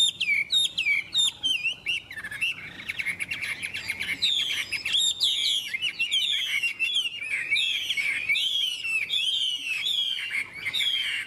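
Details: Chinese hwamei singing early in the morning, recorded up close: loud, rapid, high whistled phrases with repeated downward-sliding notes in a steady, energetic stream.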